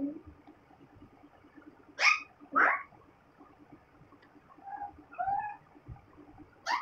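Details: Talking parrot saying "mitthu guddu": two loud harsh bursts near two seconds, then quieter voiced, word-like tones with a rising and falling pitch, ending in another harsh burst, over a faint steady background hum.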